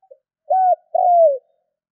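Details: Spotted dove calling to stimulate other doves: a faint tiny note, then a two-part coo. A short, level, hollow syllable is followed by a longer mellow one that drifts steadily downward. Silent background.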